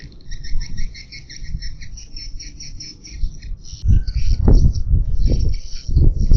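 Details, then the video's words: Swiftlet lure call for calling birds to a nest house: quick repeated chirps in twin high and mid bands, about three per second, over heavy low rumble, turning louder and more scattered with thumping noise in the second half. "Suara Gratis Pecah Rekor Dalam Memanggil Burung Walet"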